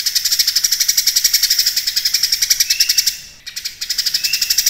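Golden-bellied Gerygone giving a thin, very high chatter of quick repeated notes, nearly four per second, with a brief pause midway.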